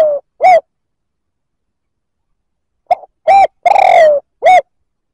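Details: Provocative spotted dove cooing aimed at other males: a lone coo, a pause of over two seconds, then a full phrase of short note, clear coo, drawn-out wavering descending coo and final crisp coo.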